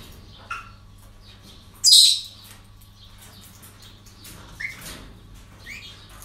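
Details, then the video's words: Parrots at a breeding centre: one loud shrill squawk stands out among faint chatter, with a few short whistled notes later and a steady low hum behind. "Relajación Loros En El Centro De Cría"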